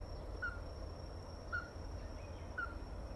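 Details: Ruddy-breasted crake giving short, clear, knocking notes of steady pitch, three in a row at roughly one-second intervals, over a low rumbling background hum.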